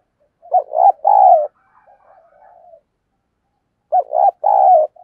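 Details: Dove used as a decoy to attract wild birds: two loud phrases of clipped then drawn-out hollow coos, separated by quiet soft murmuring.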